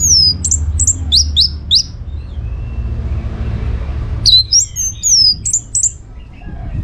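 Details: Orange-headed thrush singing energetically, a recording meant to make other birds reply: two bursts of high, clear, downslurred whistles repeated rapidly, separated by a quiet pause with faint low hum.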